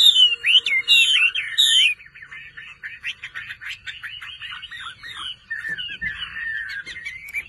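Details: Song of a kept Chinese hwamei: two seconds of loud, rich slurred whistles with rising and falling sweeps, then a quieter run of rapid, varied twittering notes.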